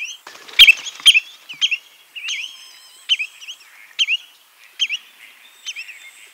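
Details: Spotted redshank calling: short whistled notes with a quick dip and rise, repeated roughly every half second to second, several sharp clicking notes near the start, quiet background.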